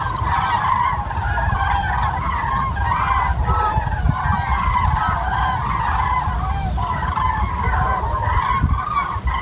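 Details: Common cranes calling near Wiesbaden-Auringen, a dense unbroken mass of rolling, trumpeting calls from a large group, layered on heavy low-pitched background rumble.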